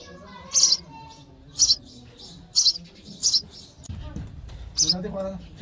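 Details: Sparrow nestlings chirping for food as they are fed, a run of high, piercing chirps about once a second, broken by a brief low rustle near the end.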